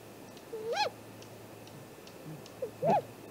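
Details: Nest-camera recording of a great grey owl at the nest on the morning of 2 April 2018, 7:15 am: two short whistled calls, each sliding up then down, about two seconds apart over quiet background.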